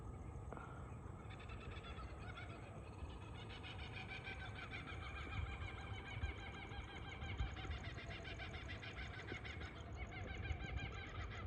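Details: Laughing kookaburras in Australia at sunrise on a Thursday morning give a loud, rollicking cackle that rises and falls without pause, over a steady low rumble of wind.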